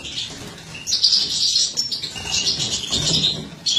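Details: Captive-bred mutant European goldfinch, a female, heard while feeding young: high, tinkling twitter with bright, rapid notes in short bursts, quieter at the start, growing busier after the first second.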